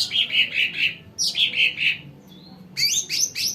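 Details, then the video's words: Sumatran cucak ranting singing as a lure for wild birds: two groups of bright chirped notes, a thin whistle in the gap, then a busy high burst. "CUCAK RANTING SUMATRA COCOK BUAT PANCINGAN BURUNG BAHAN"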